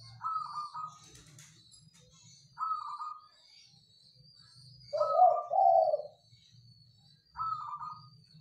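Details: Caged local zebra dove singing vigorously in a rattan Mataraman-style cage: short trilled cooing phrases repeated every two to three seconds, one longer phrase ending in lower rolling coos, with a faint high whine and a low hum behind.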